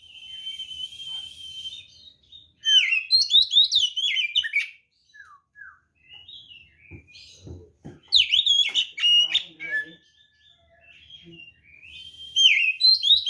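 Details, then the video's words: White-rumped shama in full fighting song used to provoke rivals: a steady held whistle, then bursts of fast varied whistles and chatter separated by quiet gaps, with faint clicks between phrases. "SUARA BURUNG kacer gacor NGEPLONG TARUNG ini paling AMPUH buat PANCINGAN kacer NYAUT EMOSI"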